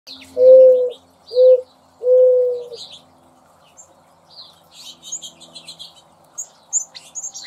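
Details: Mourning Dove in a garden gives three soft, hollow, low coos, the last one drawn out, followed by faint high chirps from small birds.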